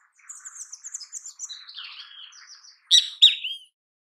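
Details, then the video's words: Great kiskadee in natural habitat: soft, rapid twittering and chatter lead into two loud, harsh, harmonic notes, the second sliding downward. "Grande Canção Kiskadee! Grande Canto Kiskadee! Ótimos sons de Kiskadee! Grande Chamada Kiskadee!"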